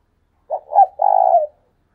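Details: A single cooing phrase from a decoy spotted dove in 'thúc sung' calling: two brief soft hoots, then a long, faintly trembling coo that tails off downward, in a quiet setting.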